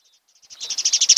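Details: An osprey at a nest on Kent Island, Maryland, home to a mated pair, gives a fast series of sharp, high whistled chirps, about a dozen a second, that starts faint and grows louder. Recorded 26 June 2018, about 9–10 am.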